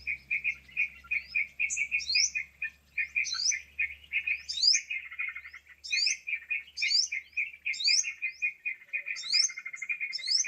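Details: Trapping lure of sooty-headed bulbul: rapid, continuous mid-pitched chirping with high rising squeaky notes inserted every second or so. The high notes grow more frequent toward the end, over a faint low hum early on.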